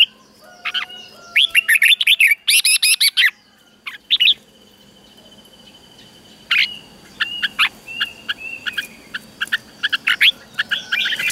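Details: Red-whiskered bulbul song played to teach caged birds in Thailand: a dense flurry of cheerful warbled notes, a lull with a steady thin tone, then a series of separate clipped chirps and short whistles.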